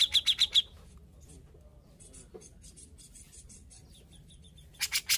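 Grey-cheeked Bulbul: five quick, sharp, high chirps at the start, softer scattered notes and a thin trill after, then three loud harsh bursts to close.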